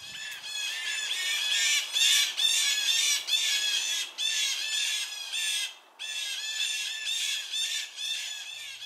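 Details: Several Blue Jays, having spotted a predator, scream harsh, raspy jeer notes in overlapping bursts, about two a second, a loud chorus of mobbing calls.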